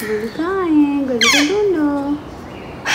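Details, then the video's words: Young male Alexandrine parakeet, seven months old and kept as a pet, greeting happily in the morning with loud half-formed words. Wavering, voice-like notes slide up and down, broken by a brief raspy burst. "Parrot Talks In The Morning"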